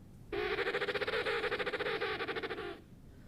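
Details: An emperor penguin living at SeaWorld San Diego gives a courtship call: a loud, harsh, buzzy trumpeting call, a rapid pulsed burst lasting over two seconds, with faint room hiss around it.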